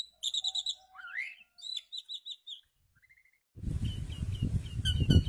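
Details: Asian pied starling during pairing: quick bursts of clipped whistled notes and a rising slurred whistle, separated by short gaps and then a pause. A loud low rumbling noise follows, with sharp chirps continuing over it.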